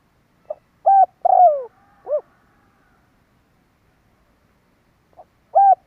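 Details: Spotted dove giving a kích bổi lure call used to draw birds in: one clear four-note cooing phrase, a short soft note, then a rising-falling coo, a long drawn downslurred croo and a final arched coo, with another phrase beginning near the end.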